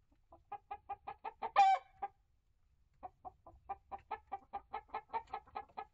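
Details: Chickens inside a coop and run, a Rhode Island Red, Barred Plymouth Rock and Light Brahma hens with young Ameraucanas, Olive Eggers and others. Steady rhythmic clucks are broken by one loud drawn-out squawk, then a short silence and more evenly spaced clucks.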